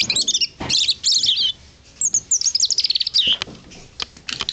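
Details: European robin singing at Blists Hill: high, thin, varied warbling phrases of rapid trills and sliding whistles, separated by short pauses, with a faint background hum.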